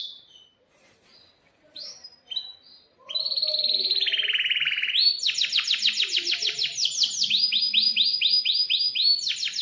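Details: Singing canary in breeding mood, a long-rolling 'gacor' bird used to tutor young canaries: soft scattered chirps, then a loud buzzy dipping trill and a fast run of repeated high rising notes.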